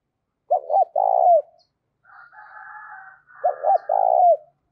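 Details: Energetic decoy spotted dove in the 'thổ cục đình' voice style, calling wild doves in. Two hollow phrases of two short notes and a long coo, with a soft buzzy rasping sound between them.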